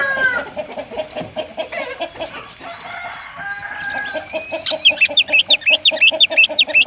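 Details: Rooster sounds: a run of rhythmic clucking notes, then a quick series of high, sharp chirps repeated about every quarter second near the end.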